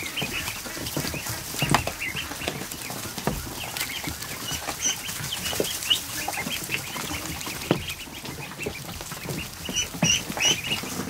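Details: More than 100 newly hatched ducklings in a kiddie pool in a barn on an afternoon, making a dense, constant chorus of short, high peeps that overlap with no pause, plus soft splashing and shuffling.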